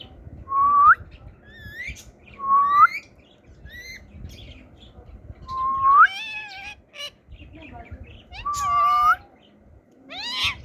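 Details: Pet ring-necked parakeet whistling and talking: clear rising whistles repeated about every two to three seconds, each followed by short chattering speech-like syllables, with steady low background hum.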